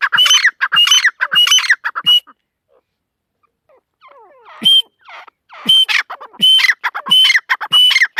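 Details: Female partridge calling in bursts: four loud, harsh ringing notes, a quiet pause of about two seconds with faint squeaks, then another run of loud grating repeated calls.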